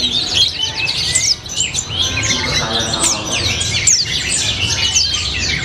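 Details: High, busy white-eye (pleci) song, "rasa colibri" and "gacor ngalas": a tangle of quick descending chirps and squeaky whistles. It barely pauses and dips briefly after the first second, over steady low background noise.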